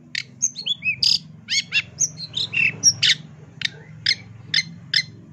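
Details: Full tembakan master song from a long-tailed shrike, meant for teaching songbirds. It mixes whistled slurs and buzzy notes, then ends in a run of evenly spaced sharp chirps. A steady low hum sits underneath.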